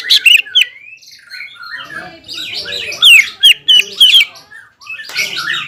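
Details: Greater green leafbird in vigorous song meant to provoke rival leafbirds: loud, slurred whistles open, then a softer warbling stretch, then a rapid burst of sharp, sweeping whistled notes about every half second, ending in harsher chattering.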